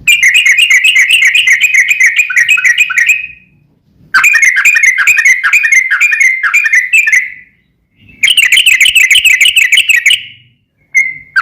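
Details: Sooty-headed bulbul song in the long ropel style, meant to lure another bulbul into replying: three extended runs of rapid rolling whistled notes separated by short gaps, ending with a brief single note, faint low hum beneath.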